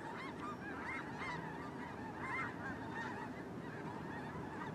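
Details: Snow geese gathered during migration: a thick chorus of nasal honks, with several distinct louder yelping calls rising above the massed flock noise around the middle.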